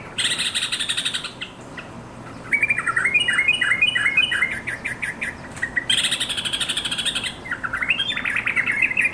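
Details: Yellow-vented bulbul, called trucukan, calling to companions: rough buzzy bursts alternate with bubbly, slurred note runs, including a stepped series of bright chirps and a rising gurgle near the end.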